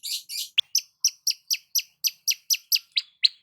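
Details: Long-tailed shrike basking in the morning: two buzzy rasps, then a steady string of high, sharp chip notes, roughly two per second, each slurring downward.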